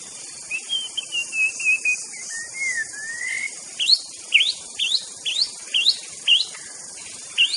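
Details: White-rumped shama in the wild: a soft wavering whistle, then a run of about eight sharp upslurred notes spaced roughly every half second, over continuous insect hiss.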